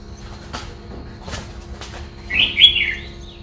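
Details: Red-whiskered bulbul, đá lân style: several soft taps and rustles, then a brief high, slurred warbling phrase near the end.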